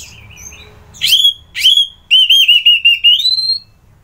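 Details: Whistled song of an orange-headed thrush from Bali: two sharp rising upsweeps, then a steady run of quick repeated notes that climbs gradually in pitch before stopping.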